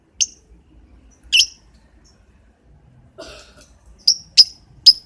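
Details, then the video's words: Morning lovebird calls as short, piercing chirps. Two are spaced apart early, a soft rustle follows, then three quick high notes close together at the end. "Burung lovebird di pagi hari"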